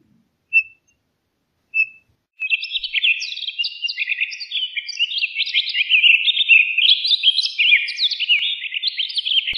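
A Townsend's solitaire gives two clear, piping single notes, then launches into a long, fast, rambling warble of bright, jumbled phrases that runs without pause.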